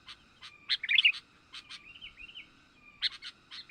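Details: Sooty-headed bulbul sounds for luring wild birds: short, clipped chips and a quick twittering flourish, a lower wavering whistle in between, then more spaced chips.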